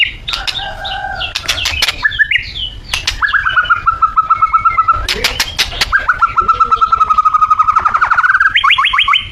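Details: Borneo white-rumped shama lure song to get birds singing vigorously: varied loud phrases with sharp clicks, long rapid trills held at one pitch, and a higher buzzy trill at the end.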